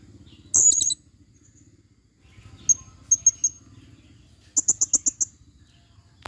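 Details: Female blue-crowned hanging parrot in forest, used as a lure: very high, thin squeaky notes, a lone burst, then a quick run of four sharp chips, and later a rapid series of six or seven shrill notes, over faint low hum.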